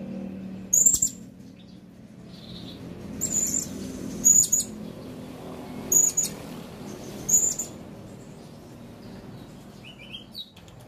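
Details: Blue-crowned hanging parrot calling: five short, very high, thin squeaky notes spaced one to two seconds apart, each slightly doubled, over a low steady background hum.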